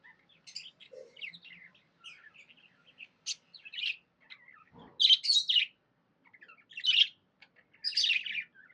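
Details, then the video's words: Happy budgie chirping: quiet, scattered little twitters building to louder, rasping warbled bursts in the second half, with one brief low thump. "Happy budgie chirping sounds"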